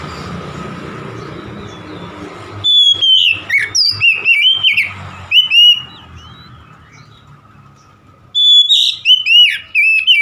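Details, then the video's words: Loud gacor-style song of an oriental magpie-robin, starting after a quiet hum with rapid runs of bright whistles, sliding and looping notes, a pause, then another burst of ringing slurred whistles. "KACER SETRES MACET BUNYI LANGSUNG GACOR"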